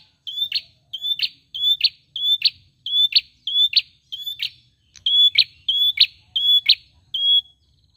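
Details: Rhythmic tailorbird song of high, short whistles, each ending in a sharp accented note. The pairs repeat roughly every second with one brief gap partway through.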